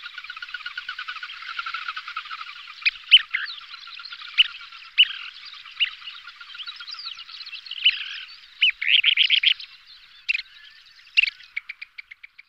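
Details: A pair of Kentish plovers calling during aerial displays give sharp, high 'pit' notes and quick dry rattling trills in bursts, over a steady high chatter of other calling animals.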